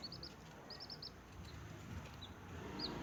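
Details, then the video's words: Baby chickens, newly hatched, feeding: two short runs of clear, high, arched peeps, three and four notes, then isolated single cheeps over a quiet hum. "SMALL Baby Chicken Sound,Chirping,Noise"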